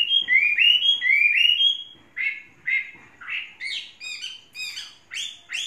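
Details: Tame caged Chinese hwamei with three seasons of keeping sings rich whistled phrases, first rising notes run together, then separate emphatic upslurred and downslurred calls repeated roughly twice a second.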